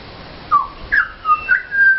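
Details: A Pied butcherbird visiting a garden at Mt Gravatt, singing for food, gives a few pure, flute-like whistles: a low slurred note, a higher falling one, a short dip, then a long held tone.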